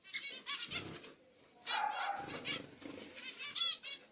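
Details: Zebra finches of the masked black-cheeked mutation, a pair with chicks in the nest; bursts of harsh buzzy high calls separated by short pauses, a louder rasping burst near the end.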